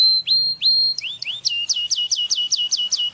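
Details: Canary song meant to stimulate mating, strong and clear: loud upswept whistled notes, then a fast run of about a dozen repeated falling-then-rising syllables, roughly four per second, all high and pure.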